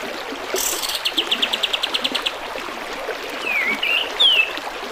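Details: Bulbul, known locally as kapas tembak, used as a tutor for teaching caged birds to sing, set over trickling water: a fast rattling series of about a dozen repeated notes, then a few clear slurred whistles.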